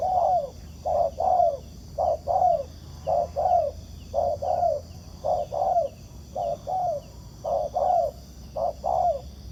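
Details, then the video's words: Spotted dove, a wild bird responding to a ground decoy at a trap. Its mellow two-part coos, a brief note then a drawn-out descending one, come in an even rhythm over a constant high whine. "Bẫy cu gáy mồi đất, gặp chú bổi gù tốt"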